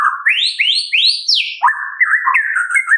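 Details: White-rumped shama from Medan in full song, a morning lure for caged birds: a sequence of loud upward-sweeping whistles followed by a falling slur and a lower, wavering warbled phrase.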